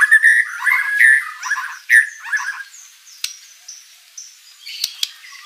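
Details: White-rumped shama in full, lively song filled with mimicry, used to provoke rival shamas to reply; about two seconds of loud, varied warbled phrases, then sparse faint high clicks and ticks.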